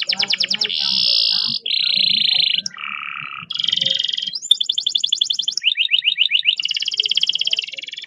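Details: Canary singing a long roll, meant as a lure for canaries slow to sing: a chain of sustained trills switching pitch every second or so, including one noticeably lower roll, then high rattles and quick repeated chopped notes.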